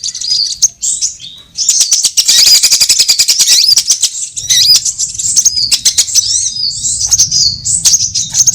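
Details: Various sunbirds in a lure recording for trapping give high, squeaky twitters and a fast, chattering trill for about two seconds, followed by scattered thin chirps and a faint low hum.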